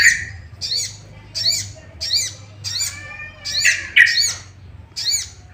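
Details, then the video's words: A sooty-headed bulbul calls to stir other bulbuls into singing, giving a string of short arched chirps about every half second to second, with a couple of louder, lower buzzy notes in the middle. "Pancingan emosi burung sogok ontong"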